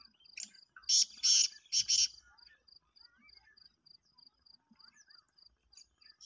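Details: Black francolin giving a harsh call of four loud rasping notes in two pairs early on, followed by faint chirps of small birds and a steady high tone in the background.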